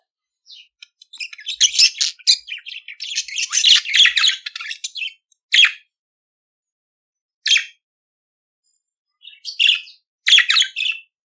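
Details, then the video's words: Budgerigar chatter: a long scratchy, warbling run of about five seconds, followed by a few isolated chirps and squeaks. "CANTO DO PERIQUITO AUSTRALIANO"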